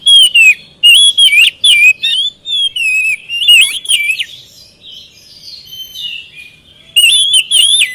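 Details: Oriental magpie-robin lure song to make quiet birds answer; loud repeated whistled phrases with chattering clicks, a softer warbling middle, then another loud burst.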